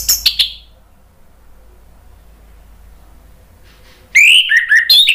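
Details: Orange-headed thrush song used as a lure to prompt other birds to answer in full ngeplong song: a short bright phrase, a long quiet pause, then loud rising whistled notes mixed with sharp chirps.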